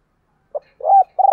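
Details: Spotted dove coo in the gáy gọi calling style, 2022: a quick low pip, a rising, swelling coo, then the start of a pulsing rolled note cut off at the end.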